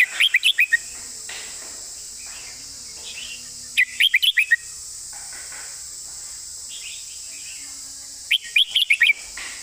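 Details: Red-whiskered bulbul in 'master song' style with fine phrasing: three quick phrases of five or six sharp, bouncing whistled notes, each a few seconds apart, over a steady high insect-like hiss.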